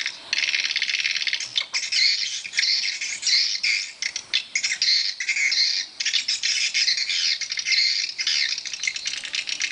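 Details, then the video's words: A chorus of swiftlets in a swiftlet house: harsh, high chirps and squeaky notes packed together in long, continuous bursts, broken only by short gaps. "Rumah burung walet ku"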